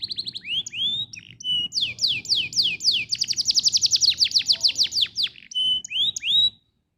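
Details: Canary song used to stimulate canaries into singing: high whistled notes, then a long fast series of downward-sweeping notes, a held whistle and looping slurs before stopping.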